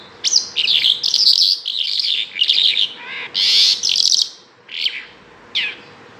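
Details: Bimaculated lark in full song: a continuous, jumbled stream of rapid twittering and chattering notes, then a few isolated sharp downslurred chirps at the end, with a faint steady hum behind.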